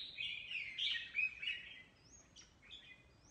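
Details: Mutant red-whiskered bulbul in competitive song, somewhat distant: a fast run of bright, rolling warbled notes, then a few thin upslurred whistles.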